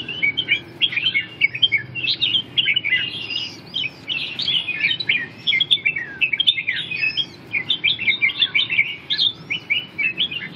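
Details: Continuous chattering song of a red-whiskered bulbul: rapid bubbling whistles and chirps strung together for ten seconds, broken only by brief gaps.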